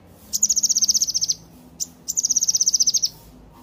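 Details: Yellow-eared spiderhunter singing vigorously in two rapid high trills of clipped, evenly repeated notes, each about a second long, separated by a single sharp chip.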